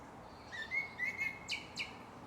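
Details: Japanese thrush song from Shinano-Oiwake, Japan: a level whistled note broken into short pulses, followed by two sharp, high, sweeping chips ending the phrase.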